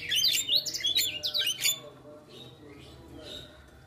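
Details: Loud, rapid squeaky warbling and chattered whistles from a Javan myna in full isian song for under two seconds, fading into softer distant notes.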